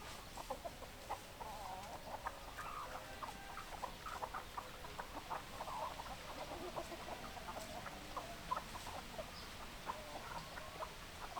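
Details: Hens and roosters in a group give a continuous babble of short clucks, many birds at once, irregular and crowded, with occasional louder notes popping out over a soft hiss.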